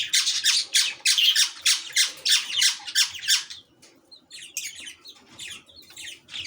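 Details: Lovebird in a fight with a chick: rapid harsh rasping squawks, about three per second, for nearly four seconds, then sparser scratchy notes and thin chirps in a small room.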